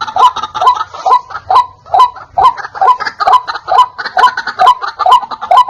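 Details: White-breasted waterhen call used as a lure to attract wild waterhens: loud, clear, croaking double notes repeated steadily about twice a second, each a harsh rising-falling 'kru-ak', with no other clear sounds.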